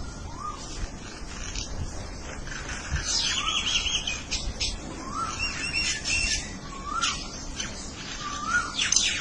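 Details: Birds exchanging calls: a soft, low, upslurred whistle repeats roughly every one and a half seconds beneath busy high-pitched chirping and twittering.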